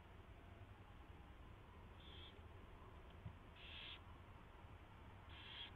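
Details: Nest owls at 4:21 AM on 24 February 2016, a mouse brought and fed: a few brief breathy hisses, one louder near the middle, against constant low rumbling background noise.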